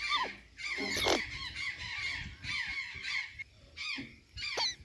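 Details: Azure jay in Santa Catarina eating banana and sweet potatoes; rasping squawks and falling crow-like notes in groups, a loud rough burst near the start, with light background rustling.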